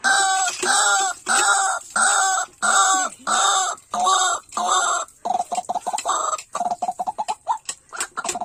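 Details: White-breasted waterhen (Amaurornis phoenicurus) giving loud, harsh, croaking notes about every two-thirds of a second, then breaking into a faster run of short, choppy calls.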